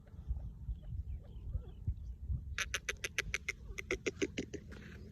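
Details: Partridge, its flight and sound noted, gives a series of about twelve loud, harsh repeated notes roughly every quarter second after low rumbling background noise.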